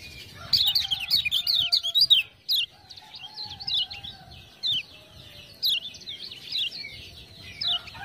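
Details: A lemon-bellied white-eye, encouraged by ciak-ciak prompting, opens with a quick loud string of high chirps, then spaced twittering phrases, while low long whistles drift underneath.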